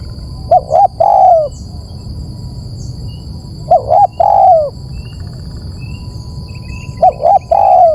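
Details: Spotted dove calling to lure birds: three repeated phrases, each a pair of short hooked coos and one longer descending coo, spaced about three seconds apart, with steady hiss throughout.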